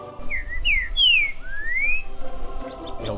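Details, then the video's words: Green-winged Saltator (trinca-ferro) singing in forest fragments where it is common again after years of trapping for the cage-bird trade; clear, loud whistled phrases, some rising and some falling, delivered over about two seconds, with a steady high tone behind. "por falar em elegância, escuta só esse canto. É o trinca-ferro, muito presente por aqui."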